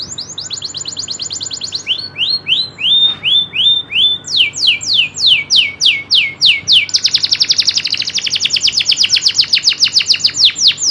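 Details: Local canary, loper style, in a long rolling phrase: a high trill, flat whistled notes, a series of falling slurs, then an extended rapid trill.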